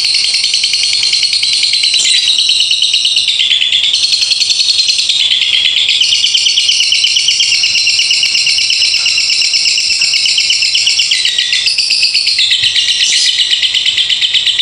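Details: Lovebird in a long ngekek konslet song: a nonstop, shrill, rapidly pulsing chatter sustained for the whole stretch, with occasional sharp upward squeaks and small pitch shifts, never pausing.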